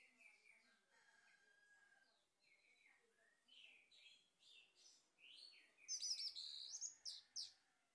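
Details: A male orange-headed thrush, used as a lure for training birds, sings a varied run of clear whistles and rich warbled phrases, building to loud, bright, high notes near the end.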